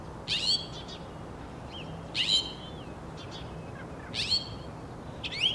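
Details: Northern mockingbird (Mimus polyglottos), song.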